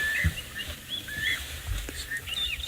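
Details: Drongos in the African bush near a hyena den, 11 December 2018, mob a Wahlberg's eagle perched in the open, giving scattered harsh chirps and short whistles as several call over each other, with wind rumble and handling noise.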